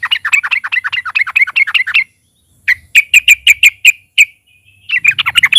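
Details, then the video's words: Sooty-headed bulbul (trucukan) in full loud song as a lure: a rapid wavering chatter, a silent gap, about eight evenly spaced bright chirps, then more fast, rolling notes. "trucukan gacor NARUNG DAN NGALAS, Suara KERAS bikin SEMUA burung TROCOK MU GACOR DAN RAJIN BUNYI"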